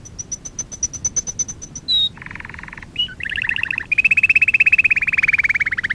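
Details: Canary song used for canary training: evenly spaced high clicks about three per second, a whistle, a harsh buzzy burst, short rolls, then a long rapid pulsing trill that slowly drops in pitch, over a low rumble.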